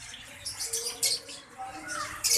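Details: Java sparrows in a colony give short, bright chipping notes in quick irregular bursts, with a few harsher high chatters during fighting that injured chicks; faint murmur of voices behind.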